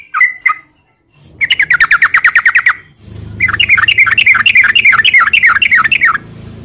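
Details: Yellow-vented bulbul song with long rapid runs, used as a lure to provoke caged bulbuls into answering. A few bubbly notes, then a fast even trill, then a longer warbling rattle over a low background hum.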